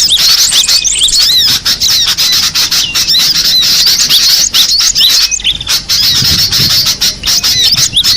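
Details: Cinereous tit in the wild: dense, busy chorus of high, sharp chirps and short whistled slurs, overlapping continuously with no pauses. Several birds seem to call at once, and there is faint low rumble beneath.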